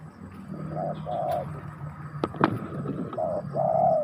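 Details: Spotted dove giving soft low coos, a short note then a longer drawn-out one, broken midway by sharp clicks and handling noise before cooing resumes loudly.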